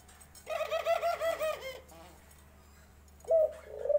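A dove gives a soft, low, rolling coo of several pulsed notes lasting over a second, followed after a pause by another short coo.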